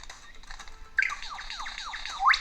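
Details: A male Superb Lyrebird, displaying from a mound on the forest floor to attract a female, bursts into loud, rich courtship song after a second of quiet hiss: rapid down-slurred whistles and harsh squawks, then a final sharply rising note.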